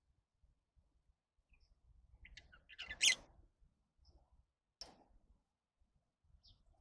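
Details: Lovebird calling: a loud harsh screechy chirp cluster near the middle, preceded by softer scratchy notes, with a sharp single shriek about two seconds later and faint high ticks between.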